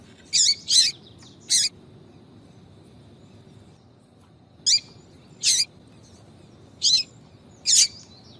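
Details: Female yellow-bellied seedeater's 'tui tui' call for heating up males. A quick cluster of three sharp high chirps opens the clip. After a three-second gap come four more, spaced about a second apart, over faint low noise.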